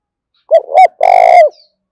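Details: Spotted dove used as a decoy to call in wild birds, giving a single phrase: two quick cooing notes followed by a longer, harsh, vibrating coo that dips at the end.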